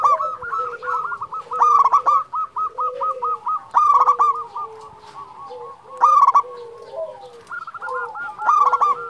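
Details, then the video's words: Zebra dove of local stock sings in repeated bursts, each a fast staccato string of cooing notes with louder ringing accents, pausing briefly between phrases. The song is used as a lure to draw out other doves. "Perkutut lokal gacor Juara memanggil"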